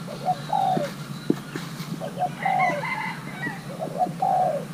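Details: Pairing young male spotted dove of Thai hybrid stock: short cooing phrases of two quick notes then a longer falling coo, repeated three times, while other small birds twitter behind.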